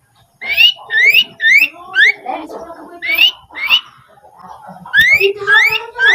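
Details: Training recording for cage birds: a Rufous-fronted laughingthrush repeats upslurred whistles about twice per second, mixed with lower warbling and chuckling notes.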